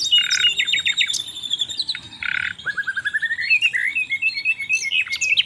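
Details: Asian brown flycatcher singing energetically on a songbird tutor track: bright chirps with buzzy bursts, then a long run of quick notes gliding upward, followed by high squeaky twitters.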